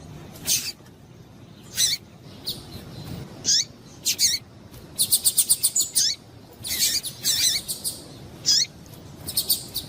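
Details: Female Double-collared seedeater piping to stimulate males: high chirps that quicken into fast rattling bursts of rapid repeated notes, then scattered single chirps.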